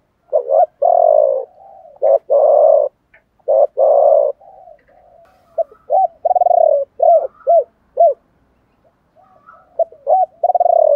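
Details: Cooing spotted doves, cock and hen, singing the chieu ba hau style meant to stimulate other doves: a long run of mellow low coos, first in long drawn notes, then quicker clipped double notes, with quiet murmurs in the gaps.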